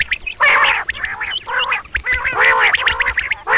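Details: Female common quail giving double calls: buzzy, harsh bursts rich in overtones, each about half a second long, repeated roughly every second, with short high chirps between them.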